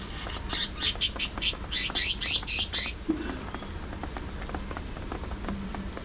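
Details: Pet budgies living together, shown singing, talking, play-fighting and grooming, give a fast run of bright, evenly spaced chirps, about four a second for three seconds, then fall to faint ticking over a low hum.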